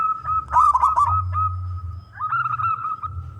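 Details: Male zebra dove, wild local contest bird, singing to draw others into song: two short bursts of rolling coos, the first louder, separated by a sustained ringing tone.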